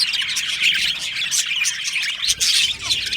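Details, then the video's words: Australian budgerigars in an aviary chirp together in a lively, high, overlapping chatter, swelling in short louder bursts of twittering. "Australian Budgie parrot chirping sounds"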